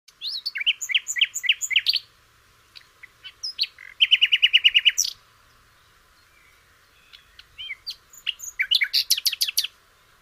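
A flycatcher sings bright, high chirping phrases in bursts: rapid trilled rattles and sharp repeated notes, separated by short pauses, with no other sounds.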